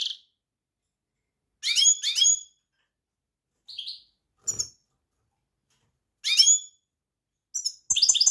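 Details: European goldfinch giving scattered short twittering bursts with rich overtones, separated by silences, with a few thin clicks and a quick burst of notes at the close.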